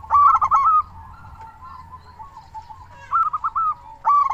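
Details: Local zebra dove call for prompting doves to sing: a brisk rolling coo phrase, a quiet stretch of faint cooing, then two more rolling phrases.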